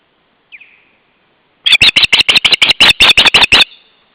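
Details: Osprey giving an intruder alert at the nest, July 2012, the day after ringing: a single slurred whistle, a pause, then a rapid run of about fourteen loud, harsh, clipped notes lasting two seconds.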